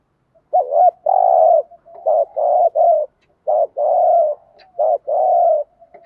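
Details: Spotted doves, male and female, giving a gù thúc lure call used to train decoy birds: a run of deep mellow coos, short notes alternating with longer drawn-out ones, repeated almost continuously for six seconds.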